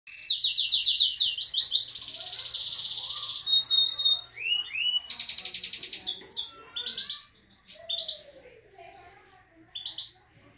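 A Himalayan goldfinch sings a fast, high, tumbling medley of twittering trills, buzzy phrases and sharp rising notes, with a canary possibly joining in.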